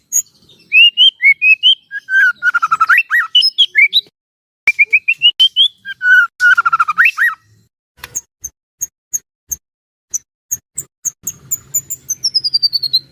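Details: White-rumped shama used to get other shamas singing, with rolling whistled phrases rising and falling, then scattered very high thin ticks and a final high descending series.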